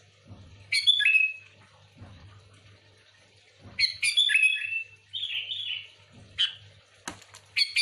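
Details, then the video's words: Sooty-headed bulbul in lively full song, recorded for luring other bulbuls: bright bubbling phrases of quick rising and falling whistled notes, repeated in bursts about every three seconds, over a steady low hum. "Suara burung kutilang gacor full Asli,,cocok untuk pikat Kutilang ribut"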